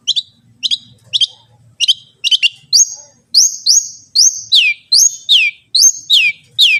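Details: Long-tailed shrike, a recording for prompting other shrikes to sing: clipped double chips at first, then a string of loud, clear whistles, each sliding steeply down, roughly one per second.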